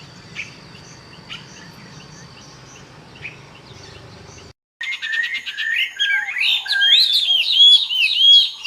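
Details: Birds chirping in a compilation meant for relaxation. A faint, hissy stretch with scattered soft notes gives way after an abrupt cut to a dense run of loud, high, rapid chirps and twitters.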